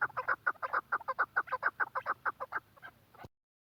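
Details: Chukar partridge from Quetta repeating crisp, regular chuck notes several times a second for about three seconds before the sound cuts off abruptly.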